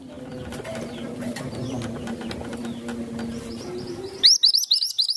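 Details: Masteran tutor songbird, described as cute with a good, soothing, consistent voice: a busy stream of high, thin chirps over a low hum, then a loud burst of sharp, bright notes repeated about five times a second.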